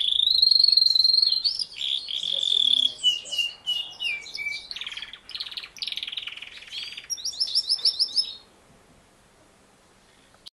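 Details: Canary in song: a sustained rolling trill gliding slowly downward, then a series of buzzy chattering phrases and a rapid high repeated chirping run, ending abruptly and leaving about two seconds of near silence.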